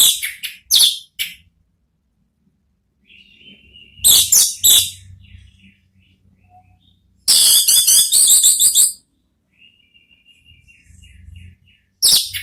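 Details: Ngeplong therapy song of an orange-headed thrush, used to lure a thrush into answering: short sharp bursts of rapid high notes alternate with thin level whistles, with a faint low hum in the pauses.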